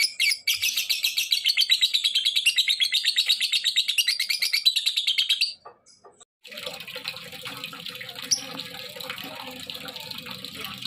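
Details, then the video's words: Harsh, rapid lovebird chatter, a call for prompting other lovebirds to call, runs for about five seconds before stopping; after a pause, running water and indoor noise take over. "Suaranya Memancing Labet lain Ikut Bunyi"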